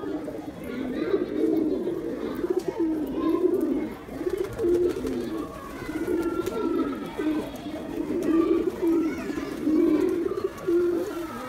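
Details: Male pigeon attacking, giving repeated deep rolling coos in pulsing bursts every second or two, steady throughout, with faint background voices and bird chatter in a small room.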